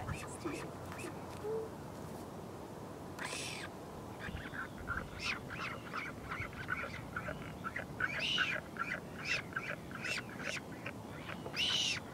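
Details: Northern royal albatross parent flying in to feed its chick at a nest in the colony at Pukekura/Taiaroa Head near Dunedin, New Zealand, 2016: run of short, harsh honking calls in quick, uneven bursts over steady rushing wind.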